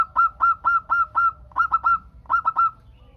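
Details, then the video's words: Local zebra dove singing vigorously, used to prompt other doves to answer: a rapid run of burry, stuttering coo notes, several quick clusters of three to five beats, with brief pauses between groups. "Perkutut Lokal Gacor Untuk pancingan kutut perkutut agar saling bunyi BERSAUTAN"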